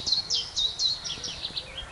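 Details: Willow warbler in the UK in late spring sings a sweet, high phrase that slips gradually downward, mixing in chiffchaff-like alternating chiff and chaff notes, over faint background noise.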